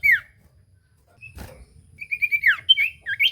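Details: Common iora song to provoke a silent bird, a single slurred whistle, a knock, then a quick chain of dipping and rising whistled notes.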